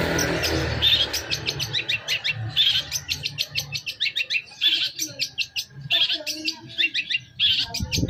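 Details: Long-tailed shrike lure song: a rapid, busy stream of scratchy chirps and clicking notes in quick bursts, with harsher louder notes scattered through and a low rumble underneath.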